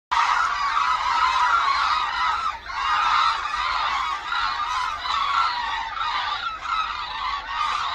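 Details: Hooded cranes in flight over Suncheon Bay Wetland, a wintering site in South Korea, as migratory flocks arrive: a dense, continuous chorus of overlapping nasal, honking calls from many birds, with two brief dips in volume.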